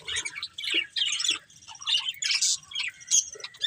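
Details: Budgerigars from a breeding pair and family, producing short separate bursts of high raspy chirps about every half second, each burst a quick scratchy cluster.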